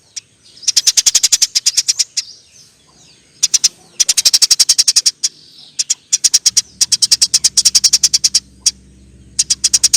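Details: Long 'nyerecet' chatter from a Eurasian tree sparrow: extended volleys of rapid, bright ticking notes in rattles lasting over a second. A soft low hum enters toward the end.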